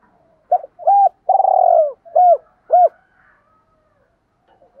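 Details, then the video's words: Spotted dove challenge call from male and female birds, used to stir other doves to respond: a run of low coos, short arched notes around one long drawn-out coo, then two more arched coos before quiet. "tiếng chim cu gáy kích bổi hiệu quả"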